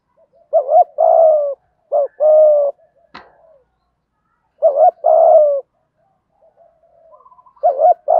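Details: Spotted dove cooing by a male and female, played to stir wild doves into calling back. Low mellow coo phrases, a short note then a sustained one, repeated three times; a brief click sounds midway.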